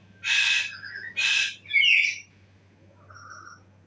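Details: Bird giving three rasping squawks in quick succession, interspersed with softer whistled notes, followed by a quiet pause and a faint low whistle over a constant low hum.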